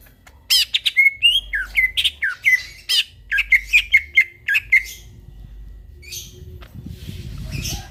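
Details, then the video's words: Greater green leafbird singing at midnight: fast varied phrases of sharp chirps and short whistled notes for about five seconds, then fading into faint notes over a low background hiss. "burung cucak ijo bunyi tengah MALAM GACOR"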